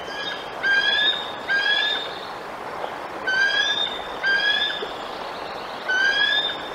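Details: Resident male bald eagle at the Decorah nest, 7 July 2022, guarding his fish from a perched juvenile intruder: high, bright piping notes in pairs, a pair every second or two, six notes in all.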